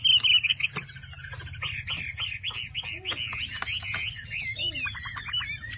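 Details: Caged Chinese hwamei heard fairly softly: a brief bright whistle, then a run of repeated looping notes and varied warbles over a noticeable low rumbling background.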